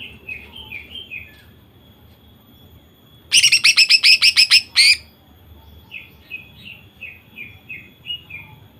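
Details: Female greater green leafbird singing to provoke males into song: soft descending chirps around a loud burst of rapid harsh repeated notes lasting over a second, then more soft chirping notes.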